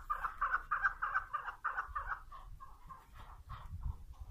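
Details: Female chukar partridge calling: a quick run of short, clucking notes, about three per second, loud at first and fading gradually toward the end. Faint low rumble underneath.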